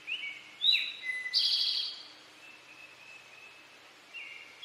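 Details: Male Eastern towhee singing "drink your tea": a soft lead-in note, a sharp higher note dropping to a lower whistle, then a rich buzzy trill, followed by softer scattered whistles.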